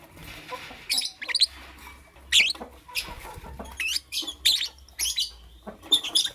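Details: Morning lovebird calls: separate high, sweeping chirps and short rasping notes, roughly one every half second to second, with quiet between.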